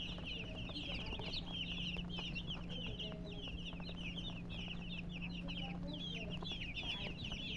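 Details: Murgi hens chirping almost without pause, a crowded run of short sliding high notes from several birds at once, with a constant low hum underneath.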